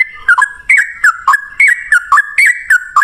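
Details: Sooty-headed bulbul singing 'ropel' style as a lure to make other bulbuls reply: a quick, repeated whistled phrase, each note dropping then lifting again, about three times per second, crisp and loud.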